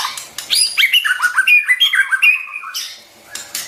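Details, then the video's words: Bright, fast song of a white-rumped shama, played to train young birds' voices. Clear whistled notes step down in a rapid cascade, followed by high sustained whistles and a trailing, softer phrase. "tiếng chim choè lửa hót cực hay"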